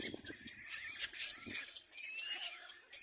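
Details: Little black cormorant chicks competing for food, giving high, thin squealing begging calls with a rising whine near the end, overlapping in a busy, breathy chorus.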